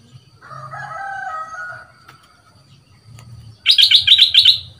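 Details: Young caged bulbul, two months in a cage and being trained as a new decoy bird, noted for a big voice: a drawn-out warbled phrase, a pause, then a rapid burst of bright, clipped high notes.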